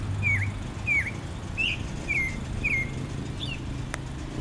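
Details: Yigüirro, or clay-colored thrush, calling with a series of brief downslurred and upturned whistled notes about every half second, one sharp click near the end, against faint low-frequency background noise.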